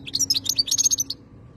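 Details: Khaloui European goldfinch giving a brief, bright phrase of quick tinkling and slurred whistled notes packed into about one second, then silence over a faint steady hum.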